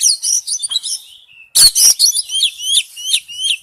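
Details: Oriental magpie-robin lure song used as a ringtone: dense, fast bursts of sharp whistled and chattering notes high in pitch, a brief thin trailing whistle, then a loud burst and a run of repeated upslurred chirps.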